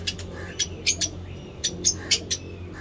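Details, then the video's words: Lovebirds in a breeding cage repeat short, piercing chirps, about ten spaced unevenly across three seconds, over faint low background noise. "Lovebird chirping"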